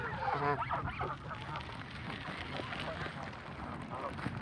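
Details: Canada geese from a flock at feeding time give a cluster of nasal honks in the first second. The calls then thin out into a murmur of distant calls and steady background noise.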